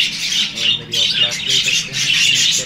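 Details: Budgerigars (Melopsittacus undulatus), male and female in breeding season, chatter in a high, buzzy, scratchy warble in three bursts with brief pauses between them.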